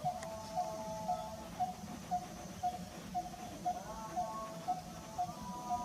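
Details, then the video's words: In February 2023 in Kanha National Park, India, a coppersmith barbet on a small tree calls at prayer time. It gives a steady series of hollow, mid-pitched tuk notes, about two per second, over a droning background of chanted prayer or music. "Bird's Call"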